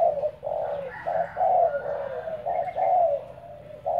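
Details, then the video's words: Spotted dove decoy bird in training, giving low mellow coos in rapid uneven succession, notes running together, with faint room sound behind. "Dợt cu gáy mồi"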